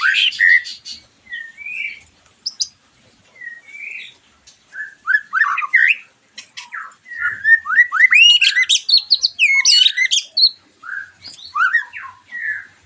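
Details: A white-rumped shama sings, used to prompt a moulted bird to answer: clipped notes and short whistled slurs with pauses, building into a dense, high-pitched burst of rapid twisting notes before easing off.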